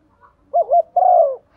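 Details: Brief morning coo from a female decoy spotted dove calling to males: two quick wavering low coos followed by one sustained, slowly falling mellow note.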